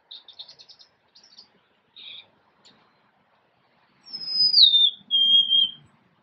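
Golden-crowned sparrow: a few thin, high chip notes, then a plaintive whistle sliding downward into a steadier, lower held note, over a faint low rumble.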